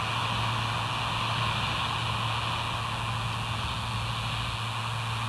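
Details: Constant mechanical drone with a steady low hum and broad hiss, like a running engine or vehicle, unchanging throughout with no animal calls.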